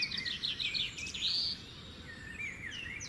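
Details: Song of a nightingale: fast, fluid warbled phrases with sweeping whistles and a brief bright, drawn-out note, fading into softer twittering against low outdoor hiss.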